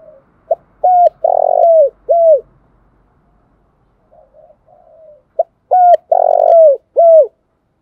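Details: Spotted dove decoy cooing used to attract wild birds for trapping: two full phrases a few seconds apart. Each has a short note, a level coo, a long vibrating, falling coo and a final coo, with soft low murmurs between the phrases.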